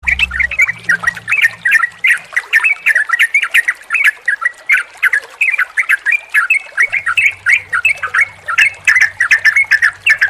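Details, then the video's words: Yellow-vented bulbul (trucukan) song mix, played to stimulate a caged bird that has stopped singing or is stressed: dense, continuous bubbly chattering phrases repeated rapidly, with a low hum at times underneath. "SUARA TRUCUKAN KOMBINASI YANG JITU UNTUK TERAPI TRUCUK MACET BUNYI DAN STRESS, PANCINGAN RELAKSASI"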